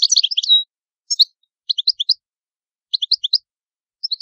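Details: European goldfinch, Italian cardellino, singing: a rapid tinkling run of high chirps ending in a short pure whistle, then small clusters of two to four sharp twittering notes at irregular gaps.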